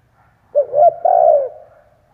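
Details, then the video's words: A lone phrase from a spotted dove decoy cooing to attract wild doves, two soft rising coos running into a longer level coo, clean and close. "Chim cu gáy kích bổi , Cu gáy kích bổi mở là gáy"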